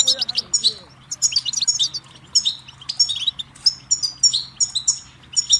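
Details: Goldfinch delivering a dense, lively twittering song of high sparkling chirps and buzzy trills, nearly unbroken from start to finish, over a faint low hum.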